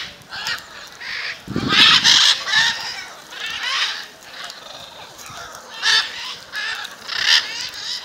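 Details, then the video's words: Macaws gathering in Jaumave, Tamaulipas, Mexico, February 2015: dense, overlapping raspy squawks, loudest near the start with a brief low thud, then calls spaced out and quieter before a final louder burst. "Guacamayas, Jaumave Tamaulipas"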